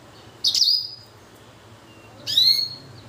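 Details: Blacken hybrid finch from a blackthroat and canary cross giving two separate high, clear notes, each a sharp onset easing into a sustained whistle, about two seconds apart.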